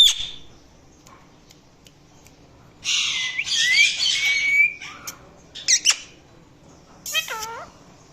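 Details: Indian ringneck parakeet, a pet talking parrot, making different sounds: a short harsh burst, then a long noisy squawk over a thin rising whistle, sharp chirps, and a final downward-curving whistled call.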